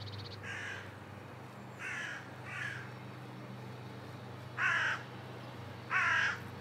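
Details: Carrion crow giving hoarse, rasping caws at irregular intervals, three softer ones followed by two louder, longer ones, against a low steady hum.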